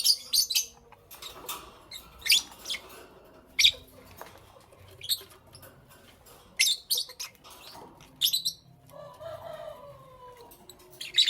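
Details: Lovebird chirping in the morning, with short shrill high calls repeated every second or so in little clusters and a faint rising tonal sound near the end.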